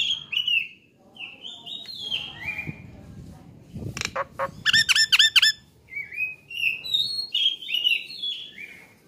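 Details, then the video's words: Training recording of an actively singing Nias hill myna: wavering high whistles, a few harsh bursts, a quick run of ringing repeated notes, then more rising and falling whistled phrases. "MASTERAN AMPUH || Jalak Nias GACOOOR"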